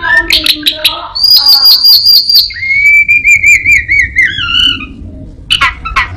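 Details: Orange-headed thrush, a caged mimic, singing a medley: rough chirps, a buzzy trill, then a wavering whistled phrase sliding downward, copying other birds.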